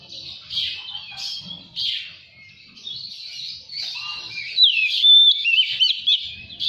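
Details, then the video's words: Oriental magpie-robin lure song for an untrained kept bird, meant to start it singing and spreading its tail: a fast, varied stream of chirps, trills and high warbles, with brief pauses and clearer whistled notes near the end. "SUARA PANCINGAN KACER BAHAN"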